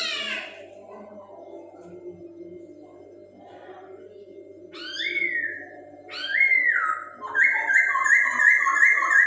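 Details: Chinese hwamei (poksay Hongkong) song, used to stimulate the breeding urge of other birds; low steady droning hum at first, then loud whistled slurring notes from about five seconds, ending in a fast run of repeated bright notes.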